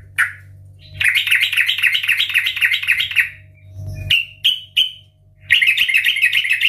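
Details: Sooty-headed bulbul (trucukan) singing loudly, used as a lure to make other trucukan sing: two-second bubbly, rippling phrases of rapid linked notes, separated by three sharp downslurred chips; faint low hum in the background.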